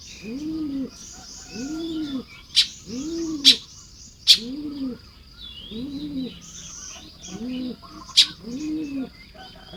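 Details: Baya weaver building nests on a morning of 1 May 2026 in Lopburi, Thailand: sharp high chips and a faint chatter of buzzy notes. Low, hollow two-part cooing from another bird repeats about every 1.3 seconds underneath.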